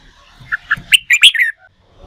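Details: Red-whiskered bulbul, a newly wild-caught bird in training for singing contests: a short, harsher phrase of lower chirps rising into two louder, slurred whistled notes, lasting about one second.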